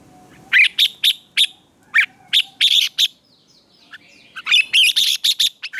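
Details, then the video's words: A red-whiskered bulbul's morning training song for contests: evenly spaced bright whistled notes about every half second, a lull, then a quick excited run of five or six phrases. "Luyện chào mào hót sáng hót hay"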